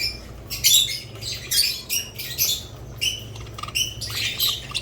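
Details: Budgerigars and lovebirds giving separate bursts of sharp high chirps and scratchy squawks, roughly one burst a second, with quieter gaps between and a faint low hum in the background.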